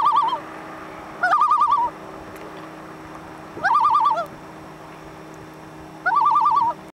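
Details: On Little Bass Lake, Grand Rapids, Minnesota, 27 July 2012, a common loon gives four quivering, rapidly modulated phrases, each under a second, repeated about every two and a half seconds against a low steady drone.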